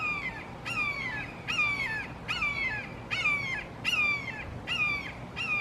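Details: Red-shouldered Hawks, three birds in a Florida backyard, calling loudly and emphatically in some communication issue; ringing, descending screams repeated more than once a second, about eight in a row over quiet outdoor background.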